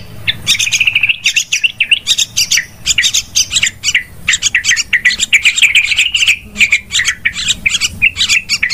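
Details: Yellow-vented bulbul trapping lure, very loud and busy: rapid repeated chirps and short bubbling phrases forming an almost unbroken chattering stream throughout.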